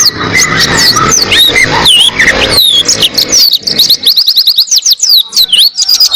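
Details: Oriental white-eye song as a tutor recording for training cage birds: a long, fast stream of high, sweet, slurred whistles and twitters, with looping rising-and-falling notes, over light background hiss at the start.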